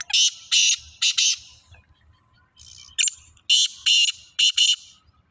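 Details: Young black francolin, two years old, calling during a contest: loud grating buzzy notes in rapid pairs and triplets, about two per second, with a soft low rumble underneath.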